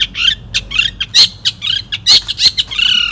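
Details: Long-tailed Shrike, a 2016 national champion songbird, giving buzzy, harsh chattering phrases and scratchy notes in uneven bursts, with brief clicks between them.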